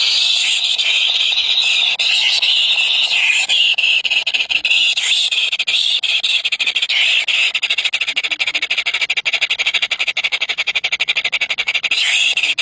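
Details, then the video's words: Three baby birds, very hungry, give an insistent, unbroken high squeal lasting over twelve seconds, a shrill wheezing chorus with small rises and falls in pitch. "Three baby Bird is very hungry"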